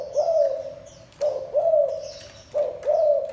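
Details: Thổ đồng spotted dove cooing (gù): three low, rounded coo phrases, each a short note sliding into a longer one, about a second apart, with faint high twitters from other birds behind.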